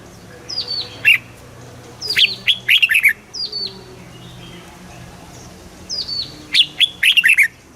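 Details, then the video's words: Red-whiskered bulbul, caged in Thailand, singing southern master phrases for stimulating birds and teaching chicks: repeated descending whistles leading into quick bursts of liquid warbling notes, twice over. "เสียงนกกรงหัวจุก สำหรับต่อ หรือ เปิดให้นกคึก"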